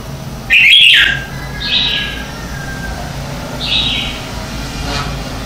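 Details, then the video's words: Red-whiskered bulbul morning song for training lure birds: a loud rich whistled phrase opening, followed by two softer clear warbled notes spaced about two seconds apart over a faint low hum. "Luyện Chào Mào hót sáng hay nhất - To - Rõ - Vang"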